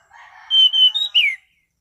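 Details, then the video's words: Clear, relaxed ngeplong phrase from an orange-sided thrush: soft low warbling leads into long level whistles, a slightly higher note, and a final loud downslurred whistle. "Burung Anis Cendana Ngeplong Santai"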